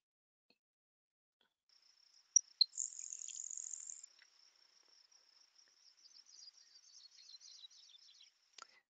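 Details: Grasshopper sparrow (Ammodramus savannarum) song in Manitoba prairie grassland: two or three sharp, very high ticks, then a thin, insect-like buzz over a second, with a quiet Sprague's pipit in the background.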